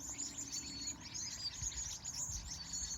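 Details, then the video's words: Birds calling at sunset in California: dense, very high twittering chirps run on without pause, with low rumbling background noise beneath. "Sunset, Bird Sounds"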